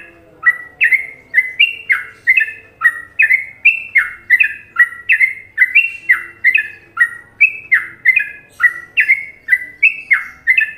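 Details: Long, steady stretch of sooty-headed bulbul song, an Indonesian Trucukan-rhythm masteran liked by many. Repeated liquid, slurred couplets pulse evenly, roughly twice a second, with slight variation in pitch between phrases.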